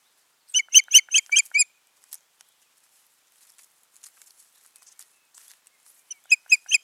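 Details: A nesting osprey pair on 14 June 2019 calling with a rapid run of about six piercing, whistled chirps, faint clicks during a pause, then another brisk burst of three or four notes.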